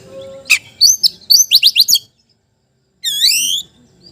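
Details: Oriental magpie-robin song used to lure silent magpie-robins into responding to a rival: a quick run of bright, sweeping chirps, a pause, then one long rising rich whistle.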